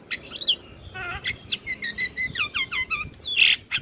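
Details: Javan myna in lively song: clear downslurred whistles repeated in quick succession, a few nasal mid-pitched notes, and a loud harsh screech near the end.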